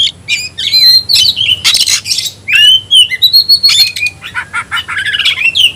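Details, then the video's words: White-rumped shama (kacer) calling out a rival to fight, giving clear whistled slurs, harsh raspy bursts and quick chips in a varied, fast-paced sequence. "Teriakan KACER panggil lawan tarung"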